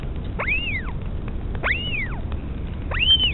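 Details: At a nest in the colony at Pukekura/Taiaroa Head, New Zealand, a Northern Royal Albatross mother feeding her chick gives three arched, whistled calls that rise then fall, roughly every 1.25 seconds, over low wind rumble.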